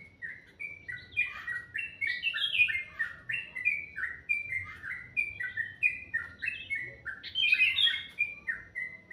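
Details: Morning bird chorus called very melodious, a dense stream of brief down-slurred whistled notes, often doubled or overlapping, with a few brighter, sharper peaks.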